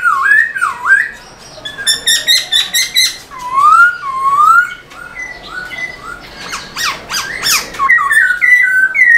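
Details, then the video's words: Caged black-throated laughingthrush singing energetically while dancing its tail: swooping looped whistles, bursts of harsh rattling chatter, smooth rising whistles, and a final flurry of mixed chattering and curling notes, aimed at firing up other kept birds. "Khướu bạc má HÓT MÚA ĐUÔI cực sung"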